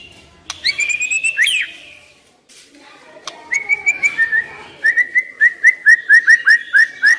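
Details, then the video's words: White-rumped shama decoy bird opening with a drawn-out whistled phrase, then a long sequence of short clear whistled notes repeated about twice a second. "Chòe lửa mồi hót cực hay"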